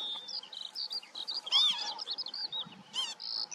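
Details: Northern lapwing calling amid a busy bird chorus, with loud arched, slurred calls that have stacked harmonics and stand out at about 1.6 and 3 seconds over many small, high chirps and twitters from other birds.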